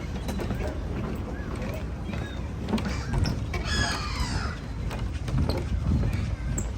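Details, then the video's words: Gulls at Pornic on the French coast, heard at low tide near the castle during a seaside walk, give a few harsh, descending cries around four seconds in, over steady low rumble, wind and a person's voice. "On entend les mouettes."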